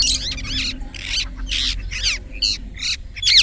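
A rose-ringed parakeet gives a fast series of harsh, high chirps and screechy notes, about three per second, over a low background rumble.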